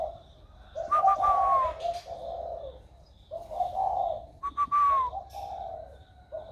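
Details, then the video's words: Spotted dove with a newly warm voice, 16 February 2020, cooing in low, mellow bursts about every two seconds, overlaid by a clear, sliding whistle from a second bird. "Cu gáy mới nổi giọng ẤM"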